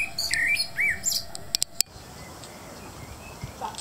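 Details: Blackbird evening song, a short phrase of looping whistled notes sliding up and down, then a few sharp clicks before the bird falls silent amid low background hiss.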